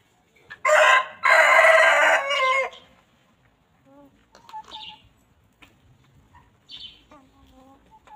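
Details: Farm chickens roaming freely while grazing and pecking; a loud harsh burst of noisy squawking early on, followed by scattered softer clucks and brief calls from other birds.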